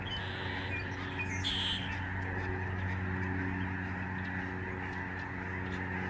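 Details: Lesser Snow Geese flying in a big flock, November 2011, at the George C. Reifel Migratory Bird Sanctuary, Canada. A couple of nearer high yelping honks stand out early over a continuous massed chorus and low hum.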